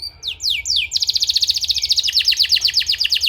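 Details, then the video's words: Canary giving a therapy song for training: a few quick falling sweeps, then a long, dense trill of sharp, high, rapidly repeated notes holding steady. "suara terapi kenari ampuh‼️"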